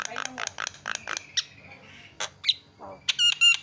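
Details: Javan myna call as a lure to make other birds call: a run of short harsh rasps, a drawn whistle, then loud, buzzy, stuttering notes at the close.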